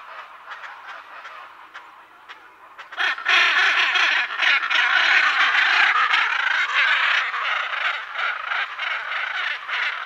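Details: A pair of Hyacinth macaws with other parrots and birds in the background: spaced harsh squawks for three seconds, then a dense, loud, continuous stretch of overlapping raucous screeching calls.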